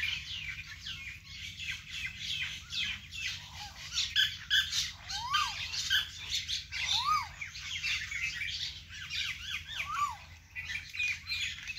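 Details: Birds singing by a vegetable garden: a dense mix of chirps and chatter, with several clear rising-then-falling whistled notes standing out, over a steady low rumble.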